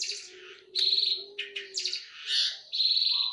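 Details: Fighting Eurasian tree sparrows give shrill, grating chirps and short buzzy trills in overlapping bursts over a faint low hum.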